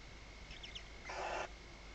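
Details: Barn owl inside a nest at Riet Vell reserve, Ebro Delta, at night on 21 October 2025 during a prey delivery by the male. Faint high chirps, then one brief harsh hissing screech, over a faint steady hum.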